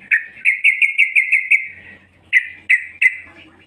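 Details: Yellow-vented bulbul, a female calling to attract males, producing a fast string of bright chirps that fades into a trill, followed by three separate sharp notes.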